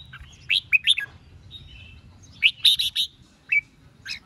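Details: Red-whiskered bulbul dueling song to goad wild-caught rivals: two short bursts of loud, sharp whistled notes, separated by a quieter slurred warble, plus a single clear note near the end.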